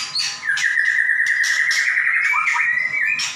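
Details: Caged white-rumped shama (murai batu) singing in the energetic 'gacor nembak' style, offered as a master recording for other shamas: a long, steady, bright whistle held for nearly three seconds, overlaid by sharp chirpy bursts, with faint low hum beneath.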